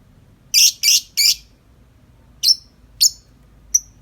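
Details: Tame lovebird singing outside its cage in the long nonstop 'ngetik' chattering style: three harsh, buzzy high chirps in quick succession, a pause, then three shorter sharp whistled notes.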